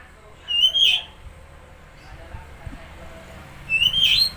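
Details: Oriental magpie-robin song used to rouse a silent or stressed bird: two loud whistled phrases, each a rising slurred note, separated by about three seconds of quiet background.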